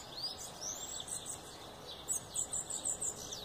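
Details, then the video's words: Bananaquit giving high sibilant upward-curving whistles, then a quick run of short ticking notes, all very high and thin over faint background hiss. "Mudinho de macaíba, sibite canela de fogo,sibite sebinho, sibite cabacinho."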